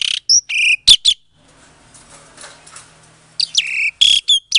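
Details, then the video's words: Asian pied starling bred in captivity in Klaten, Indonesia, February 2022, song meant to goad silent starlings into answering; loud clipped chattering notes and whistles open and close, with a quiet pause in between. "Suara Jalak Suren Pancingan, Jalak Macet Pasti Jadi Emosi Langsung Nyaut"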